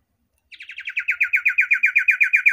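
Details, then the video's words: A male Common iora gives a fast, even run of chipping notes, about six or seven a second and growing louder, held at one bright pitch. Nothing else is heard. "CIPOH/ SIRTU mewah isian NEMBAK"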